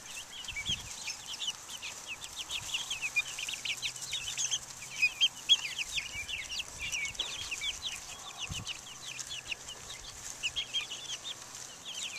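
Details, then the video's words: Flock of chicks, Buff Orpingtons, Black Australorps and Americanas, taking the air outside in 2010, producing a dense, continuous stream of shrill peeps, with a faint low hum under them. "Chicks Out Taking the Air"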